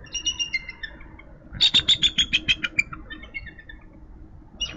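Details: Eagles greeting the day at a Minnesota nest with two eggs, March morning after frost, the male taking over incubation; faint thin whistles then a loud rapid series of high piping chitters lasting about a second.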